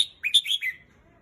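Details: Red-whiskered bulbul singing: one short, bright phrase of three or four quick warbled, slurred notes dropping and rising, over within about a second, then quiet.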